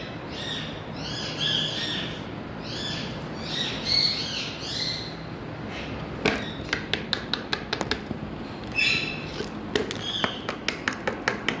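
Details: Indian ringneck parakeet, colourful, said to talk, gives a series of raspy stacked squawks for several seconds, then a rapid run of sharp clicks and taps mixed with a few short harsh notes.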